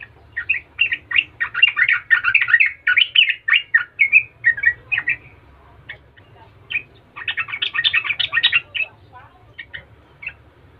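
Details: Yellow-vented bulbul (trucukan) in lively, persistent gacor latah song, meant to provoke other trucukan into answering: rapid bubbly chattering notes in dense bursts, a pause in the middle, then another chattering run.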